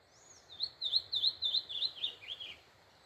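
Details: Pixarro singing on a blessed morning: a quick run of about eight bright, slurred whistled notes rising and falling in pitch, then two lower falling notes, over a quiet background.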